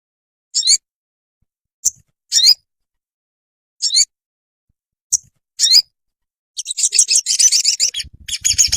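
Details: Olive-backed sunbird recorded for training caged birds to sing: short, very high, sharp chirping bursts spaced irregularly, then a dense run of rapid high twittering notes.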